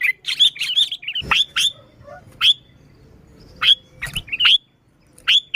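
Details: Sooty-headed bulbul calling energetically, with no other birds mixed in, for luring bulbuls: spaced, sharp upslurred whistles and chirps, some in pairs, with gaps between, and a few soft knocks.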